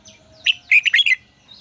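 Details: One brief red-whiskered bulbul phrase, recorded for training caged birds: a quick burst of about five loud, rich, slurred notes, with soft whistles before and after.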